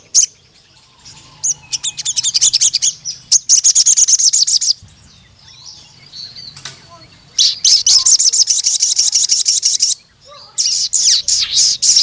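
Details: Sooty-headed bulbul singing long, energetic bursts of fast, high, metallic twittering, each run several seconds long, separated by short quiet gaps with occasional isolated chirps.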